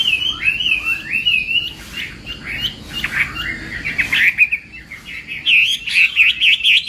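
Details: Chinese hwamei morning song during voice training, contest style: wandering whistled phrases with slides and wavers, a softer, scratchier middle passage, then fast, bright, repeated looping notes at the close.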